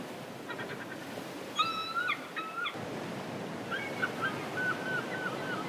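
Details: Seagulls travelling home during sunset call with thin, nasal, slightly wavering notes in short bursts, several calls overlapping, heard through constant wind and surf noise.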